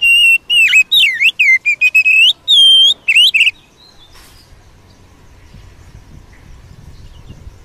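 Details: Wild Oriental magpie-robin song meant to excite a kept bird: fast series of clear whistles and looping up-and-down slurs with a long steady note, ending abruptly into quiet background noise.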